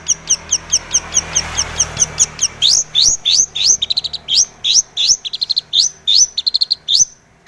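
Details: Long-tailed shrike, called cendet or pentet, singing a full song to prompt other shrikes to sing; a fast steady series of sharp repeated chips, then rising squeaky notes and varied twittering.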